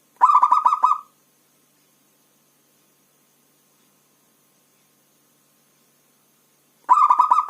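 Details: Local zebra dove (perkutut), described as a frequent caller, gives two bursts of rapid, pulsed cooing, each about a second long with five or six quick notes, separated by several seconds of silence.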